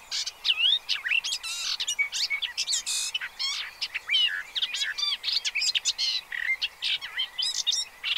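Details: Noisy pied avocet gathering with chicks at the Séné reserve on the Gulf of Morbihan, 30 April 2023, recorded from an observatory: a dense, continuous chorus of sharp, ringing and yelping notes from many overlapping birds.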